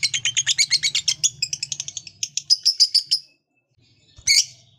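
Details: Lovebird trilling a rapid 'ngekek' series of high pulses for about three seconds, slowing slightly before stopping, then one harsh chirp; the long trill is used to stimulate other lovebirds to sing.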